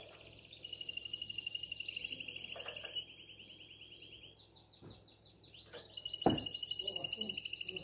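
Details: Canary from Shkodër, Albania, singing in breeding condition to call the female: long rapid trills around 3–5k, pitch stepping between phrases, a brief gap then a renewed trill, with a click near six seconds.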